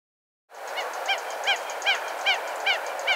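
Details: Red-gartered coot giving a steady series of short, nasal, honking notes with bright harmonics, repeated about every 0.4 seconds after a brief silent start, over an even background hiss.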